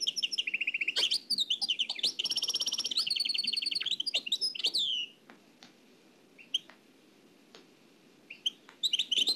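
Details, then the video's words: Oued El Alleug style song of a nightingale from an old cassette: dense rapid trills and ringing repeated notes for about five seconds, then a quiet stretch with occasional sharp clicks and brief chirps. "تغريد واد العلايق نقلته عن كاسيت قديم بصحتكم خاوتي معمر روسينيول"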